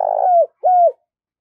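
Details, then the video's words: Decoy spotted dove calling wild doves with two hollow, mellow coos, each sustained, then sliding down, separated by a short silence. "Tiếng chim cu gáy mồi gáy gọi bổi mới"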